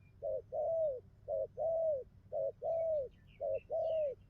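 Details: Wild-caught spotted dove, newly settled, cooing well in a full sequence: four paired phrases, a short low coo followed by a longer arched coo, repeated about once per second with faint chirps of other birds behind.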